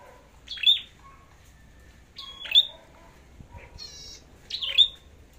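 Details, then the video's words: Red-headed flowerpecker singing competitively, its fighting spirit being checked before going to the forest: three spaced, sharp high chips dropping steeply and ending in brief thin whistles, with a soft buzzy note between them. "Chim Sâu Đầu Đỏ Hót Đấu"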